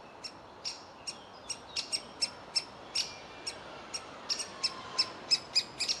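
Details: Young woodpecker in its nest hole, demanding feeding as the parents try to coax it out; piercing high chirps, about three a second, quickening toward the end, over quiet surroundings.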